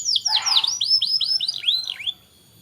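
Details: Short canary phrase from a tutor recording for young canaries: a harsh burst, then a few clear arched whistled notes, ending in silence.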